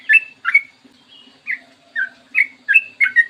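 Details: Morning song of a sooty-headed bulbul used as a lure and tutor song: bright slurred chirps, some rising and some dropping, come in small groups separated by brief pauses over a soft steady low hum.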